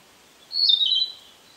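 A Narcissus flycatcher gives one high, slightly wavering note of about half a second, dipping at its end, over faint background hiss.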